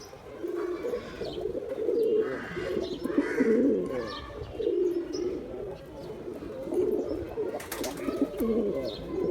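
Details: Male pigeon cooing, deep, soft, rolling coos in repeated phrases a second or two long, with brief pauses between bouts, a few faint chirps and a short rustle near the end.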